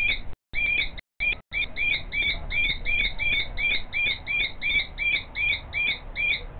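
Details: Calling female common kestrel heard behind a male preparing the nest scrape before her; steady, even run of high, piercing, slurred notes, roughly one and a half per second after a few choppy opening calls, over faint low background rumble.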